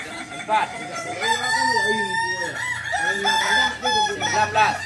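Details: Balenggek crowing chickens at a Sunday contest, landiak class, in Ampang Kualo, Solok city: long stepped crows of many arched syllables from several roosters at once, overlapping with faint voices.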